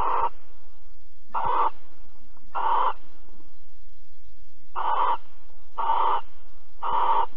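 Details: Barn owl in Alphen on 22 April 2020 at 21:37, during mating and cuddling: six harsh, hissing screech bursts, each about half a second long, repeated roughly every second over a steady low hum.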